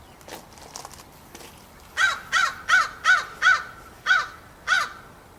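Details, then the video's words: Crow perched on a post in a backyard, recorded 16 September 2014, cawing. After faint calls, seven loud, harsh caws come in a quick, slightly uneven series, roughly two or three per second. "Crow cawing on the post"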